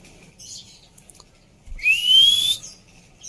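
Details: Female Oriental magpie-robin, heard as therapy for a bird that stopped singing, gives a rising whistled note that slides upward for about two-thirds of a second, overlaid by a hissing rasp. Faint chirps come before it.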